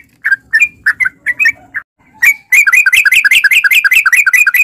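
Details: Sooty-headed bulbul in full rapid ropel delivery, recorded as a lure for caged bulbuls. A few spaced, warbled chirps over a low hum build into a continuous fast run of bouncing notes lasting two seconds.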